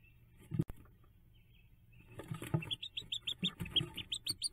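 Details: Hooded merganser ducklings during their nest jump on May 5th, 2024: a sharp click, then scratching and a quickening series of high, rising peeps that keep going to the end.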